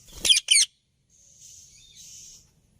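A ringneck parrot gives two loud, harsh, high screeches in quick succession, then a softer, drawn-out raspy chatter.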